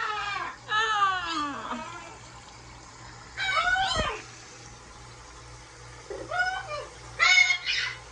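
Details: Large blue parrot bathing in a kitchen sink, calling with wavering harmonic squawks that bend downward, several bursts separated by pauses, with faint splashing and room hum.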